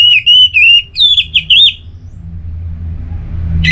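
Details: Clear, ringing whistles from an orange-headed thrush: two steady high notes, then quick bouncing phrases. The bird then falls silent and only a soft low rumble remains.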